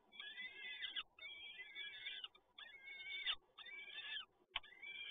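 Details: During a feeding at a Toruń nest on 30 April 2022, peregrine falcon chicks beg. Loud, rasping, wheezy screeches are repeated in five long bursts with short pauses between them.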